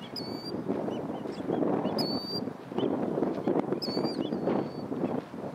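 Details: Killdeer giving shrill, ringing high calls in short bursts roughly every two seconds, set against a steady low rumbling, wind-like background noise.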